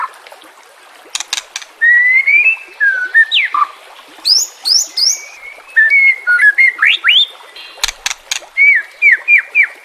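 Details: White-rumped shama song used as training for caged birds: sharp clicks followed by varied whistled phrases, high upsweeps and sliding notes, with a repeated whistle near the end.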